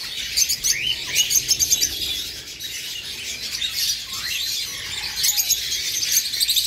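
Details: Eastern rosella family, a pair with two recently fledged young, one already feeding itself. Continuous high twittering with a few short rising whistled notes standing out.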